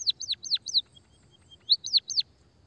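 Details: High, bright chirps of an emprit kaji, white-headed munia, each note falling steeply, in two quick groups of three or four separated by soft flat peeps.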